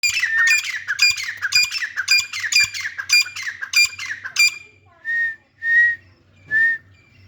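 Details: Grey francolin, shown with chicks, gives a rapid series of harsh, ringing squawks for about four seconds, then three drawn-out whistled notes, each under a second long; a low hum underneath.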